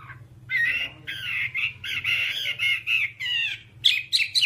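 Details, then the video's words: Whambie song in a one-hour nonstop tutor recording used to train kept songbirds: harsh, squawky warbled phrases with rich overtones, broken by short pauses, ending in quick rising notes, over a faint low hum. "Masteran Whambie nonstop 1 jam"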